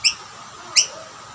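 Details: Rainbow lorikeets squabble over two snack plates, a dominant male chasing other birds off the food. Two short, harsh, high screeches ring out about 0.7 seconds apart, with quiet background between.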